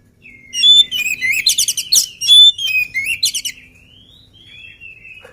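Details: Oriental magpie-robin singing before feeding, an agile energetic bird: clear whistles and rapid stacked buzzy chatter in bursts, then softer drawn-out falling whistles trailing off.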